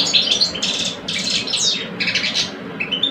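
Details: Two competing male European goldfinches, one old, one two years old, deliver short bursts of buzzy, twittering song separated by brief pauses, with a soft rising note near the end.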